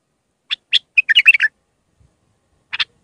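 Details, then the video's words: Iraqi bulbul giving raw Mandali-style song for teaching young birds: a few separate clear notes lead into a fast chattering run of warbled syllables, with one more note after a pause. "تغريد بلبل عراقي خام مندلاوي راقي ساعة كاملة التعليم افراخ البلابل"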